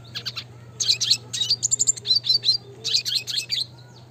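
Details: Red siskin in the classic style, lively song with trilling rolls used to train other birds: rapid bursts of high, bright twittering chirps in phrases of about half a second, separated by short pauses, over a steady low hum.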